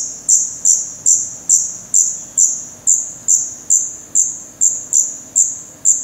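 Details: Black redstart nestlings close to the camera in a Portuguese nest, 16 May 2020: a regular series of sharp, very high squeaky notes, roughly two per second, each decaying quickly into soft background.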